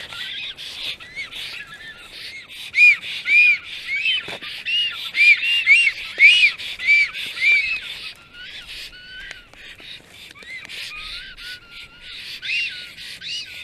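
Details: Black storks at the nest around midday on 30 April 2022, the pair greeting while a strange female intrudes and is attacked; bursts of raspy, arched whistles at uneven intervals, louder in the middle, then fading into softer hissing notes.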